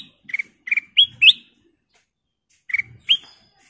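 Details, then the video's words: Golden-coloured kutilang emas bulbul singing energetically: paired chirps followed by upward-slurring whistled notes, a pause of over a second, then more chirps and a rising whistle. "Suara Paling Cakap Burung Kutilang Emas full isian"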